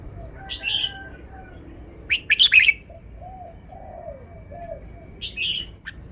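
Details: Caged red-whiskered bulbul performs its song phrasing: a short whistled phrase, then a louder rapid chattering burst, and later a repeat of the first phrase. Low soft cooing is audible in the gaps.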